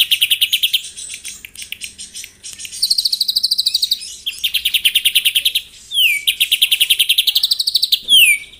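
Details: White-rumped shama's morning song meant to stir rival birds: fast stuttering high trills in several bursts, each shifting pitch slightly, with quick downslurred whistles between them.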